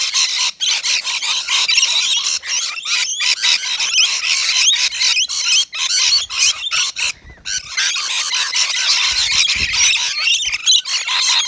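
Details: Several rainbow lorikeets feeding on wet lori mix at a balcony nectar feeder; sustained, noisy screeching chatter with rapid overlapping squawks, dropping out only briefly once.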